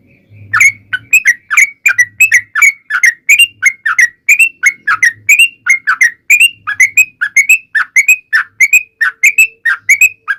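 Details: Yellow-vented bulbul in a long, rapid 'ropel panjang' song used to lure other bulbuls into answering: about ten seconds of continuous bubbly whistled notes, roughly three per second, with faint low hums in the background.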